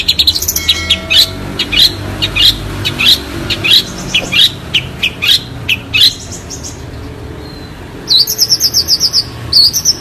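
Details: Long-tailed shrike (cendet) song for training other birds: a long steady series of high chirped notes about every half second, a pause, then a burst of rapid trilled high notes, over a low background rumble.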